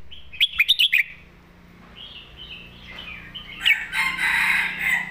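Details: Red-whiskered bulbul giving a loud southern master song: a rapid cluster of five bright chirped notes, then slurred whistled phrases, ending in a dense, noisy, rasping burst.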